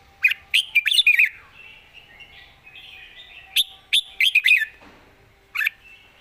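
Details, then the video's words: Red-whiskered bulbul singing with good phrasing and a light voice: chattering clusters of bright whistled notes, one fuller warbling phrase in the middle, and a lone note at the end, against a quiet background. "สำนวนดี ปากเบานกดาวรุ่ง"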